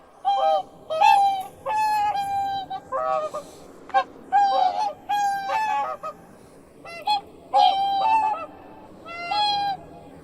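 A swan gives loud, nasal, trumpeting honks, single or in quick pairs, roughly every second, with short pauses between bursts.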